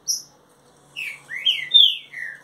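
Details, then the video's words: Green-winged saltator, a kept bird, singing a phrase of loud, slurred whistles that sweep down and up in a quick run of four notes, preceded by a brief high-pitched note from another bird. "trinca ferro mansarrão 30 dias já está matando tudo"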